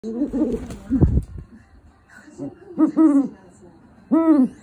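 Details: A pet great horned owl in its breeding season, courting a cushion, gives three low, hoarse, arching hoots spread over about four seconds, with a dull thump between the first two.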